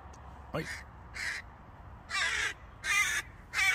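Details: A hooded crow from a small family near a local airport in Norway, fed bread, gives five harsh, hoarse caws in quick succession, each about a third of a second long, growing louder toward the end.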